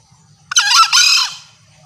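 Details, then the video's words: Green junglefowl, female, in a recording used as a lure to draw males to approach: a loud, clear two-part call lasting under a second, a harsh rising first note running straight into a longer, rich, falling second note, over a faint low hum. "Masteran Ayam Hutan Hijau.. Kokok nyaring dan jerniih.. the sound of green jungle fowl.."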